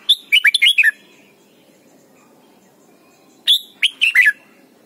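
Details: Red-whiskered bulbul singing in Thailand, a lesson song for young birds: a fast cascade of six or seven warbling whistles, a pause of two seconds, then a shorter three-to-four-note phrase.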